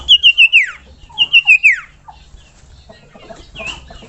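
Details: Common iora calling to get other ioras singing: two fast trilled phrases, each a string of beads dropping sharply at its close, one second apart, followed by a few soft notes and a last short whistle.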